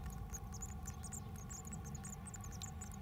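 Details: Japanese tit visiting a house mailbox on 9 May 2020, giving dense, tiny high-pitched squeaks in quick irregular bursts, with constant low humming noise underneath.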